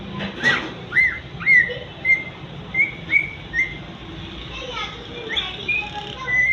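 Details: Parrot calling "Mithu": short, clear whistled notes at an even pitch, repeated roughly every half second for about four seconds, then softer, rougher chirps and a rising final whistle.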